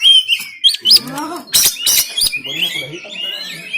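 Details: Oriental magpie-robin (kacer) in a harsh 'tembakan' style song, recorded on an Android phone in Banten and used to push lazy birds to sing and open their tails: high whistled slurs, chattering notes, and sharp loud cracking bursts near mid-clip.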